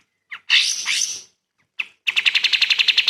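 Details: Cream-vented Bulbul song used to teach other songbirds: a harsh, buzzy high burst, a brief pause, then a rapid rattling run of sharp repeated notes.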